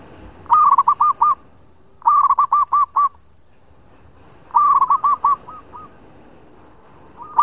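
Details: Local zebra dove used as a lure, singing repeated phrases roughly every two seconds, each a fast bubbling trill then several soft, evenly spaced coos; a faint steady high tone runs underneath.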